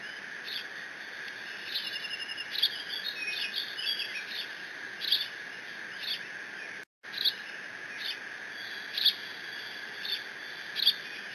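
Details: Eaglet of bald eagles at the Decorah nest, 30 June 2017, squealing as it mantles a fish brought by its father, with no siblings present; high, thin squee notes come in a brief chattering burst, then single calls spaced apart, over steady hum.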